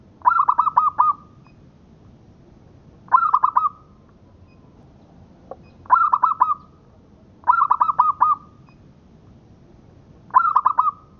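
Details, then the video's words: Local zebra dove song used as tutor recording for training; a rolling, throaty cooing phrase of rapid pulses ending in a drawn note, repeated about every three seconds, five phrases. "Suara Perkutut Lokal Buat Masteran"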